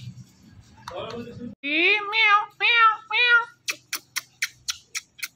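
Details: Talking Indian ringneck parakeet mimics words with four drawn-out, meow-like wavering syllables, then a quick run of sharp, evenly spaced clicks; a soft low murmur opens the recording.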